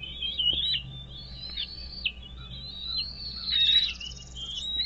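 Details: Nest-camera recording of an American bald eagle at Dale Hollow Lake, Kentucky–Tennessee line, early morning of 17 April 2023; piercing whistled squeals run almost continuously, bending up and down with brief dips, over faint electrical hum.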